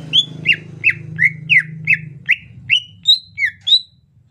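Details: Greater green leafbird singing soft 'ocehan lemas' phrases during the rainy season: a rhythmic series of about eleven down-slurred whistles, roughly three per second, ending on higher rising notes, over a low background hum.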